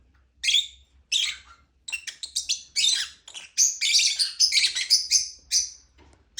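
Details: Lovebird chirping in bursts of high, bright, scratchy chirps and squeaky tweets, starting with short separate notes and then running together into a busy, nearly continuous chatter.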